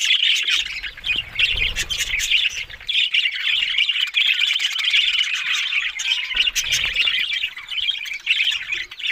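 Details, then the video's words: Budgies in a group give an unbroken stream of harsh chirps, squeaks and warbling chatter, busy and overlapping throughout, with occasional low bumps. "Beautiful Talking Budgies Australian Parrot Sounds"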